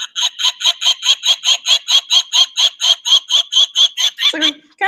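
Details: A Peregrine Falcon gives its cacking call, a harsh, grating kak-kak-kak of about twenty rapid, even notes over four seconds, ending in a lower, rougher note; the call is said to confuse prey.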